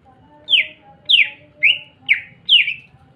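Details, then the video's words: Greater green leafbird singing, used as a lure to make other green leafbirds sing: five sharp, downslurred whistled notes repeated roughly every half second, clean and bright against a quiet background. "Pancingan handal burung CUCAK IJO gacor merangsang cucak ijo lain bunyi."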